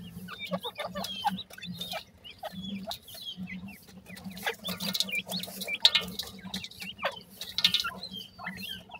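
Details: Grey francolin (dakhni teetar) chicks: many short, high, sharp chirps and peeps scattered through the clip, some clustered in quick bursts, over a low steady hum and clicking handling noise.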